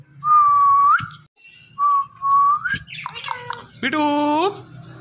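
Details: Talking Indian ringneck parrot kept indoors: two clear flat whistles lifting at the end, a burst of rough squawky notes, then a long harmonic nasal voice-like note, with a low hum behind.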